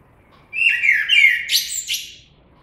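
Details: One phrase of common blackbird song: rich, low, fluty notes that slur downward, then a high, thin, chattering flourish as the phrase fades.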